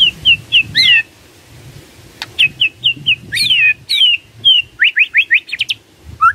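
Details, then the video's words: Lure song of white-rumped shama for prompting silent birds to respond: varied whistled notes and sharp downslurred phrases interleaved with brief clicks, ending in a fast series of rising chirps, with low background rumble. "PANCINGAN SANTAI & EFEKTIF❗❗ murai DIAM langsung respon NYAUT❗❗"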